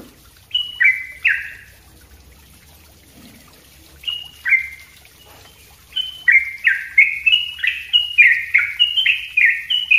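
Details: Yellow-vented bulbul in continuous, dense 'ropel' song used as a training recording for other birds: scattered slurred phrases at first, then a fast run of bubbly, downslurred notes after six seconds.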